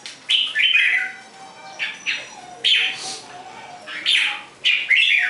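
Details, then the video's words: Red-whiskered bulbul delivering repeated rich, gurgling two-part phrases, roughly one per second, each starting high and sliding lower, with a steady faint hum beneath. "chim Chào mào"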